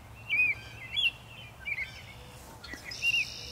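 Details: American robin singing in early spring, Ithaca, New York, USA, in March: short clear whistled phrases, each slurred and gently rising then falling, spaced about half a second to a second apart, over low rumbling background noise.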